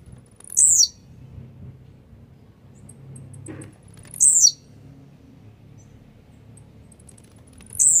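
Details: A blue-black grassquit (tiziu), a feisty jumping bird, gives three short, high, buzzy descending phrases, one about every three and a half seconds, over a faint low hum. It is offered as a sound to fire up other grassquits.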